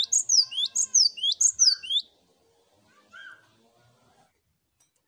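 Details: Cinereous tits in a group chorus, from a master recording for prompting song: a rapid run of bright whistled notes that dip and rise, about five phrases in two seconds, then near silence with one softer note.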